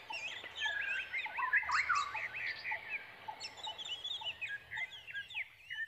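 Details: Brown prinia chicks begging while waiting for a parent to return with food; dense overlapping chirps and twittering notes, rising and falling, repeated rapidly throughout, with a few lower notes mixed in.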